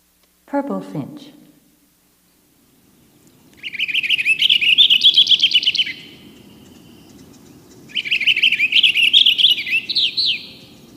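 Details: Purple Finch, a bird widespread on a university campus, giving two rich, rapid, bright and tumbling warbling phrases of about two seconds each, after a brief spoken word. It is played as an example of a complex song.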